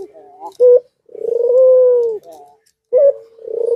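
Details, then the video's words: A white dove courting with nodding bows gives a steady, low, drawn-out rolling coo framed by short, abrupt notes, with no other sounds nearby. "Puter Putih Birahi Ga tertahan Gacor dor angguk angguk"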